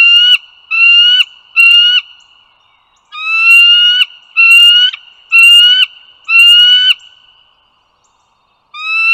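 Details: Morning recording of bald eagles on the Dulles Greenway, northern Virginia, 16 April 2022: three rising harmonic whistles, a brief gap, then four more about a second apart and a final one starting. A faint steady background tone continues.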